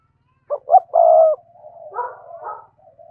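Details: Spotted dove's full song for exciting caged doves: two short clipped notes followed by a long, hoarse, level coo, then a softer rough warble trailing off.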